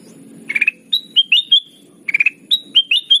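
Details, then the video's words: Ruby-throated bulbul (kutilang emas) song used as a trapping lure, energetic and chattering: quick bursts of four bright clipped notes alternating with clear whistled slurs, delivered at an irregular pace over a faint low hum. "Suara pikat kutilang emas gacor"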